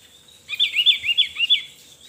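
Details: Javan white-eye song: a short run of about six high, thin, rising-and-falling twittered notes lasting just over one second, with a steady faint hum behind.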